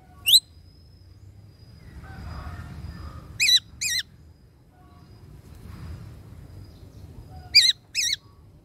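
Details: Greater racket-tailed drongo calling the flock: loud, metallic, wavering twanged notes in pairs, spaced several seconds apart, with faint softer whistles and low background rumble between.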